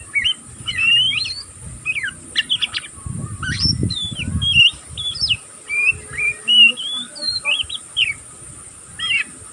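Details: Young oriental magpie-robin, still learning its song, twittering without pause: varied whistled and chirpy phrases with sharp rising and falling sweeps, short bursts about every half second, a faint low rumble in the background.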